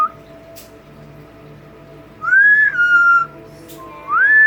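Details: Pet double yellow-headed amazon parrot indoors, whistling to its owner: two clear, pure whistles, each rising then holding steady, with a quiet pause between them and faint room hum.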